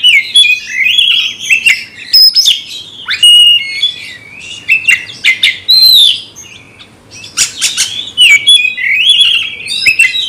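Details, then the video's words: Oriental magpie-robin singing loudly after being provoked to fight a rival, a harsh, varied stream of whistled slurs, buzzy rasps and sharp chirps, rising and falling almost without pause. "nembak lawan tarung KACER BRUTALISME"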